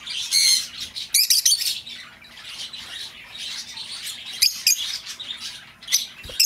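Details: Shrill, squawking lovebird chatter, played to lure back an escaped bird: an almost continuous harsh, high stream of overlapping chirps and squawks with louder spikes throughout.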